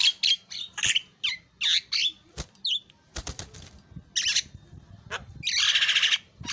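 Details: Javan myna pouring out a chattering series of harsh squawks and raspy notes, broken by sharp clicks, ending in a long noisy hissing screech.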